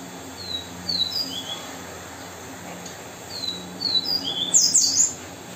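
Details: Variable seedeater singing in the viviti song style: thin, high whistled slurs that drop in pitch, a phrase given twice about three seconds apart, the second ending in a bright, buzzy chattering burst over a faint low hum.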